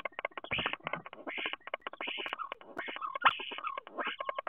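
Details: A common starling sings at a nest box in Théding, France, 10 March 2023, mixing fast rattling pulses with arched whistled slurs and a few pure held tones.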